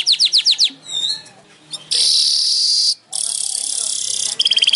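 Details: Weaver (manyar) song opening with quick repeated chips, then some thin sweeping notes, then two long, harsh, hissing buzzes separated by a short pause, ending in a rapid burst of chattering notes.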